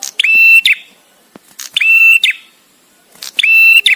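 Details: Visiting male bar-winged prinia singing with pauses for training other birds: three powerful, level whistled notes beginning with a snap, spaced about 1.5 seconds apart, a single click between.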